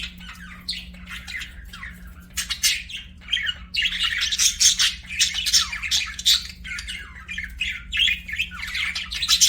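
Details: Budgies singing and chirping: quiet at first, then a lively scratchy warble of short rising and falling squeaks, clicks and chirps, growing busier toward the end over a low hum.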